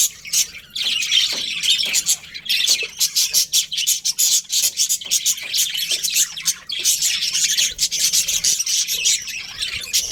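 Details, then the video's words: Colourful budgies of a colony chirping in many short, sharp bursts, a rapid stuttering series of high tweets and squeaks with brief breaks. "Colourful Budgies Chirping Sounds"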